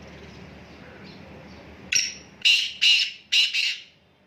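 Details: Black francolin call: a quiet, hissy start, then a sharp note followed by four loud, raspy, rhythmic notes at about half-second intervals, fading out at the end.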